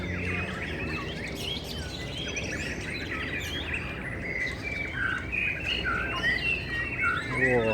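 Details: White-rumped shamas singing at a crowded murai batu song contest in a field in Taiwan on Sunday, 18 April 2021: several overlapping whistled and warbled phrases over loud crowd chatter, with a rapid trilled flourish near the end.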